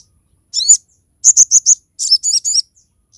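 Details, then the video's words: Sharp-shooting song of a crested jay, a recording meant for tutoring songbirds and drawing other crested jays into song: one high chirp, then rapid clusters of three or four bright, piercing, high notes. "SOGOK ONTONG GACOR FULL TEMBAKAN TAJAM"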